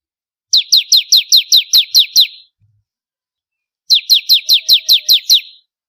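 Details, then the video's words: Bar-winged prinia song used for training contest birds: two bursts of about nine sharp, downward-slurred high chirps, rapidly repeated, separated by a pause of over a second. "Ciblek Kristal Gacor//Masteran Burung Kontes"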